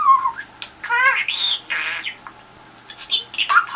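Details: Pet budgerigar addressing the telephone to elicit a response: scratchy squawks, buzzy bursts and quick chirps separated by brief gaps, with a quiet stretch midway before more chatter.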